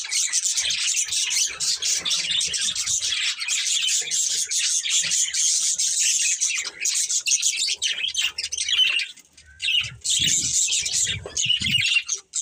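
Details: Breeding pair of budgerigars chattering in a dense, continuous stream of high, rapid chirps and warbles, with a brief lull near the nine-second mark before the busy twittering resumes.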